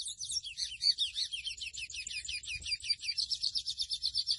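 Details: Chestnut-bellied seed finch, locally called mochuelo or pico de plata azul, sings a continuous, rapid high-pitched warbling trill of quickly repeated twittering notes without pause, over a faint low background hum.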